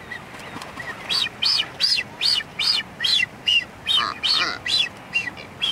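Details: Blue-footed booby in its dance, uttering about a dozen short, high arched whistles in a fairly steady rhythm, roughly two or three each second, with faint background noise.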